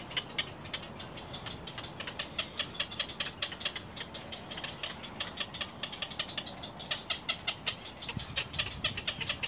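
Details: Little egret nestlings biting at their mother: dense, overlapping rattling clicks from several young, continuous and harsh, with a low rumbling background.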